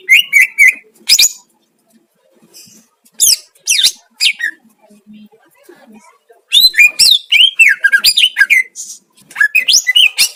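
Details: Greater green leafbird singing a master song to provoke rival leafbirds: scattered harsh notes and slurred whistles, then a dense run of rapid varied chattering phrases, some mimicry-like loops, faint low sounds in the gaps.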